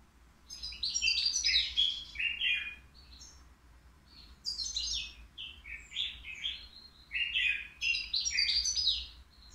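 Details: European goldfinch, three years old, kept in a cage at the Qriaa bird market, giving a faultless song of rapid tinkling, twittering phrases in three energetic bursts, each a jumble of high chirps and short buzzy slurs.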